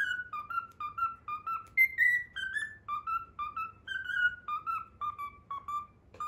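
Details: Pet cockatiel whistling a learned tune, the Pythagora Switch opening theme; clear, flute-like whistled notes in a bouncy melody, short phrases stepping up and down, quiet indoor background.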